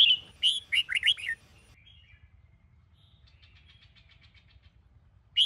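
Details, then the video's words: Red-whiskered bulbul of the Sông Kôn song style, a caged bird in morning song training: one quick, bright burst of warbled, chirping notes, then a faint thin trill and near silence before another note starts. "Chào Mào Sông Kôn - Luyện Giọng Hót Hay | Luyện Chào Mào Bổi Hót Sáng"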